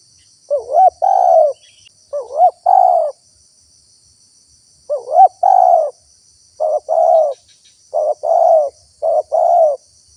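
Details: Spotted dove lure call for attracting wild birds, with a fast run of coo phrases, each a brief rising wavering note plus a longer falling coo. Later phrases come close together, about one per second. A steady insect drone sits high above.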